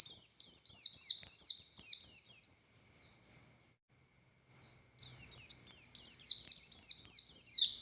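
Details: Buxtoni Oriental white-eye singing its intense "ngalas" style: a fast string of shrill, thin, downslurred notes for three seconds, a short pause, then another equally rapid, high burst.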